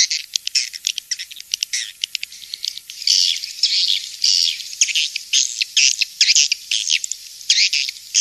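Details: A swiftlet farming lure called King's Star. Sharp, high chips come in quick clusters at first, then give way to longer buzzy, twittering phrases that repeat roughly twice per second.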